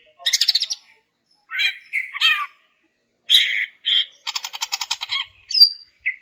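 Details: A female greater green leafbird calling males, aimed at getting silent males to sing: harsh rattling bursts, scratchy squawks and a long buzzy pulsed trill, finished by a thin whistle and a short note.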